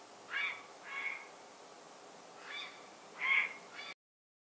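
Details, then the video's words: Grey heron giving four harsh, raspy croaks, spaced roughly a second apart with a longer gap before the last pair, over a quiet background. "Grey Heron (Ardea cinerea) - Calls"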